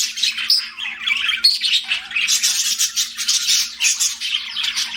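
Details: Continuous chirping from pet budgies: rapid raspy warbles and bright squeaky notes, a few clear whistled pips early on, flowing without pause above a low steady hum.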